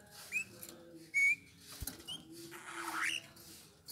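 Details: Eurasian bullfinch singing: a few short, soft whistled notes, one rising and one flat, spaced over four seconds among clicks, a sharp tap and scratchy background noise.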